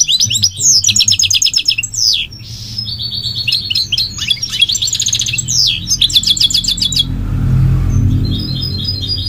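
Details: Goldfinch delivering rapid, pulsing trills and bright twittering phrases with falling slurs, then going quiet while a low rumbling noise rises.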